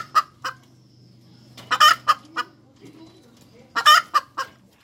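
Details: ['Hens cackling: two quick clucks, a pause, then two strong bursts of a drawn harsh squawk trailed by short clipped clucks, with a faint low hum beneath.']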